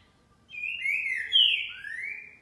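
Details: Green-winged saltator (trinca-ferro) recorded at 11:30 on a Sunday morning, giving a rich whistled phrase of three connected notes, level, then sharply emphasized, ending on a rising slur, with little background noise.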